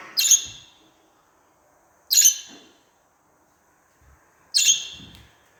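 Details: Budgerigar calls meant to prompt pet budgies to sing and talk: three loud, high, harsh chirps spaced about two seconds apart, with near silence between them.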